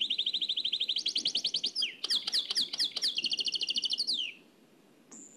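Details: From an old cassette, a trained nightingale gives Oued El Alleug style song: a long, steady trill of identical notes, sharp clicking strokes, a second trill sliding down at its end, then a high pure whistle.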